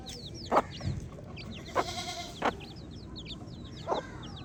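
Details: High, down-sliding peeps of baby chicks continue throughout. A few lower calls break in, including one drawn-out harmonic cry at the middle.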